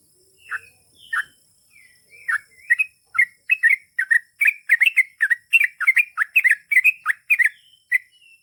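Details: Sooty-headed bulbul delivering a long 'ropel panjang' song meant to make other bulbuls reply at once; a few spaced chirps build into a fast, continuous run of bubbly, liquid notes, ending in soft whistles over a faint high hiss.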